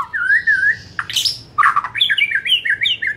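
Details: Afternoon lure song from a white-rumped shama, intended to push shamas into fuller, louder singing: wavy whistled phrase, a rasping buzzy burst, then a lively string of rising and falling whistles.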